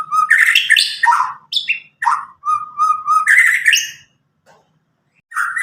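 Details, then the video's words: White-rumped shama from Medan, about nine months old and just past its juvenile spotted stage, untutored by recordings, with a loud clear voice used to prompt young birds to sing. Rich varied phrases of rapid whistles, rolling trills and sharp chips, pausing briefly before resuming. "murai batu Medan gacor walau lepas trotol cocok untuk pancingan murai batu macet"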